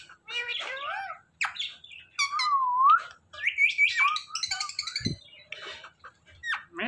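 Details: Ringneck parrot talking: a run of clear harmonic, speech-like syllables mixed with rising and falling whistles and a sustained whistled note near the middle, with short sharp chirps at the end; music plays faintly in the background.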